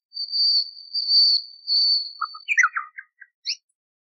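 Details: Three long, pure whistled notes held high and steady, then a quick jumble of lower chirps and a final sharp note. A common nightingale sings in a decades-old recording prepared for teaching canaries.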